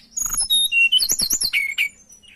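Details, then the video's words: Lesser shortwing (tledekan) in breeding condition, singing loudly as a lure to find a rival: a fast, varied run of high thin whistles and squeaky slurred notes, with rapid rising-falling trills in the middle, ending in a falling whistle. "Pancingan Burung Tledekan Gacor Birahi Cari Lawan"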